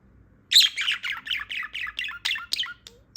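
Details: Female budgerigar, newly awake, pours out a quick burst of chattering, scratchy warbled notes, around ten in close sequence, ending in a short pause and a final squeak.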